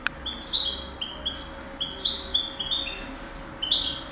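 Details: Contest goldfinch from 2008 delivering a rapid string of bright, high chirps and short tinkling trills, phrases running together with little pause over a faint constant hum.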